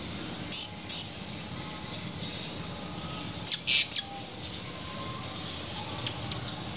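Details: Blue-crowned hanging parrot, a male in full voice, recorded 17 July 2020: piercing high-pitched chirps, two clear notes, then a rapid cluster of three, then softer faint notes, with near-silent gaps.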